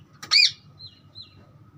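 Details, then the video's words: A green parrot gives one loud, harsh chirp with a bent, arching tone, then two faint thin whistled notes trail off over a low background hum. "parrot chirping sound"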